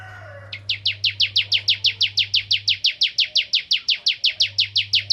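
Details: Ciblek Kristal, a Bar-winged Prinia kept as a songbird in Indonesia, sings as a lure to provoke other prinias: a long, steady run of sharp, high, downslurred chips, about three per second, over a low electrical hum.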